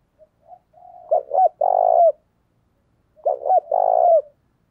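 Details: Spotted dove kept as a lure to excite wild males gives two repeated coo phrases. Each opens with soft notes, then two abrupt accented coos and one long, sustained coo ending in a downward slur. Background is silent.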